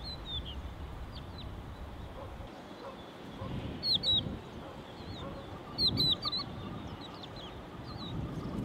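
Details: Crested lark at its ground nest with small chicks in the Czech Republic gives brief, clear whistled notes, some sliding down, in small bursts two to three seconds apart, over steady low rumbling background noise.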